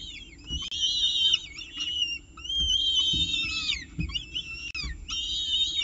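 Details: Peregrine falcon at a nest site in Orange, 19 October 2018, with breakfast brought in; high wavering whistled calls with harmonics come in long bursts separated by short gaps, over a low steady background rumble.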